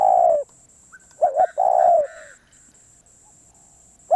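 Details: Spotted dove, a very persistent wild-caught bird, giving a long loud coo, then a double-pulsed coo and another drawn-out falling coo, with faint higher whistled notes from another bird behind.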